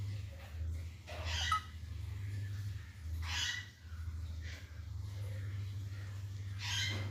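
An Alexandrine parakeet gives three short, harsh, speech-like bursts a couple of seconds apart over a steady low electrical hum.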